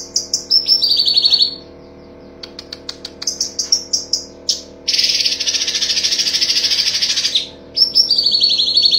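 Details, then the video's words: Cucak cungkok master song for training songbirds, full tembakan: sharp high chirps and a falling buzzy trill, a run of clicking notes, then a long unbroken shrill hissing rattle lasting over two seconds before chirps resume. "Masteran Cucak Cungkok ~ Full tembakan"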